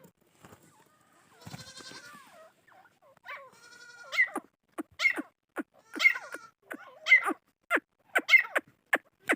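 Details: Chukar partridge calling: after a few seconds of mixed, softer sounds, sharp clucking notes repeat roughly every half second, growing louder and more regular toward the end.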